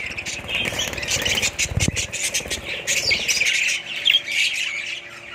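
Budgerigars chatter in a busy stream of squawks, chirps and scratchy warbles.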